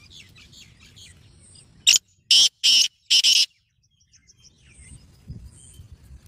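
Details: Black francolin, a kept bird, giving a harsh grating call of four loud rasping bursts in quick succession, then quiet with faint background chirps.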